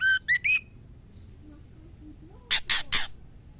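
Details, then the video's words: Female white-rumped shama calling the male to mate, a mating-season call. Three short rising whistled notes near the start, then three harsh broadband squawks after a quiet gap, with low background hum. "Suara Siulan Murai Betina Gacor Memanggil Jantan"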